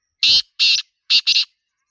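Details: Black francolin (Sindhi teetar) calling in the wild in a natural setting: four harsh, grating, high notes, two longer ones followed by a quick clipped pair, over about one second, against silence.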